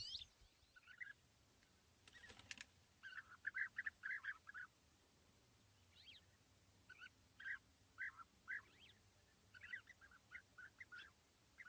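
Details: Two European bee-eaters perched in small trees about 80 metres away at East Leake Quarry, very sunny morning of 5 July 2017. After a brief rustle, a run of rolling calls follows, then repeated single purring notes about twice a second.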